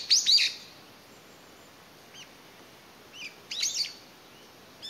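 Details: A lone Brown-eared Bulbul, apparently separated from its family, calls to find its companions in May 2021; a loud shrill harsh note opens, then quieter rising squeaks follow near the end after a pause.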